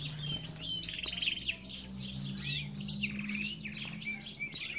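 Belgian canary song of bright, rapid trills and chirps among other chattering aviary birds, with a steady low hum underneath.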